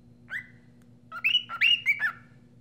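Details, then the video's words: A cockatiel whistles a short bright phrase: one slurred note, a pause, then four quick rising and falling whistles over a low steady hum. "طائرببغاءكوكتيل يغردبصوت عذب وجميللل"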